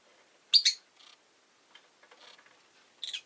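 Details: A rosy-faced lovebird kept at home, with a loud shrill double chirp, quieter muffled chatter in the middle and another sharp paired chirp at the end.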